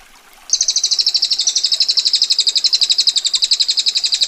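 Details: Ngetir song of a female bar-winged prinia: a sudden burst of shrill, tightly spaced ticking notes that drops slightly in pitch early on, then rattles on steadily for nearly four seconds.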